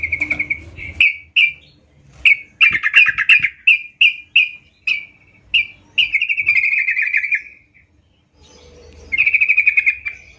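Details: Sooty-headed bulbul in vigorous song, giving clear whistled notes in quick, uneven series with short pauses, then a longer rolling trill before a final burst.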